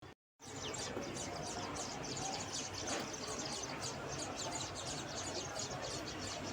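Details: Baby sparrows chirping in the nest: rapid, thin, high chirps in dense overlapping bursts, continuous over a background hiss and faint low rumble.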